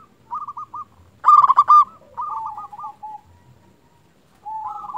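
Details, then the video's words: Indonesian local zebra dove, a lure recording meant to excite other doves into answering: short clipped coos, one strong gurgling burst near the middle, then fading stuttered notes and a final held tone. "Perkutut lokal gacor Raja pikat ini ahlinya bikin burung perkutut lain gacor nyaut"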